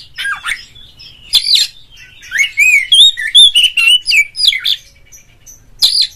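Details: Oriental magpie-robin in ngeplong, ngobra, gacor song, aimed at making other magpie-robins sing: harsh chirps, then a fluent run of clear, mellow whistles and quick slurred notes, ending with a sharp burst.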